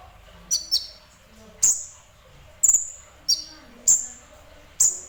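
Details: Sunbird, local name kolibri ninja, singing semi-actively: sharp high chips, one quick pair, then single notes at uneven intervals, each ringing briefly.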